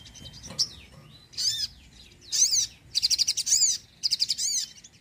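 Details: Sogon singing in lively bursts of high, rapid, chattering trills with sweeping notes, phrases separated by short pauses, used to lure birds and spur quiet birds into song.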